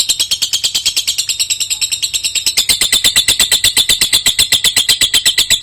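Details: Lovebird in full long-duration singing: rapid, evenly pulsed shrill chatter, about several notes a second, harsh and high, growing louder and brighter halfway through and running on without pause.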